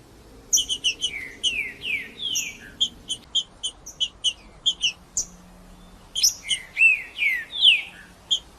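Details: Green-winged saltator singing to warm up and stimulate captive birds: bursts of sharp high chips mixed with loud descending whistled slurs, phrases repeating with short pauses and a brief gap midway.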